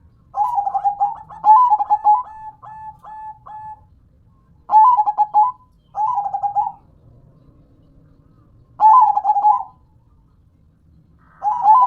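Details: Local zebra dove singing in a lively manner, giving about five rolling, trilled cooing phrases near one pitch, each lasting about a second, separated by short pauses; quiet background.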